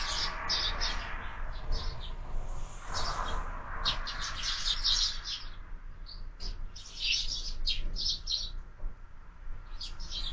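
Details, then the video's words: Several sparrows chirping at a window feeder in the morning; dense, rapid clusters of sharp chirps come and go over ten seconds, briefly pausing midway, over a constant low background rumble. "Воробьи в кормушке - Утро"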